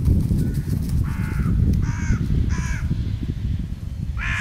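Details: Crows fighting over peanuts on a border, with aggressive postures, cries and attacks: harsh, hoarse caws in four bursts about a second apart, the last loudest, over a steady low rumble of wind or traffic.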